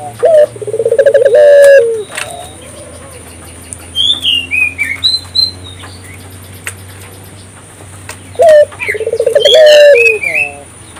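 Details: Lure recording of an African collared dove meant to get local doves calling: a rolling purred coo opens and closes the stretch, with a quiet gap in between filled by scattered high chirps of other small birds.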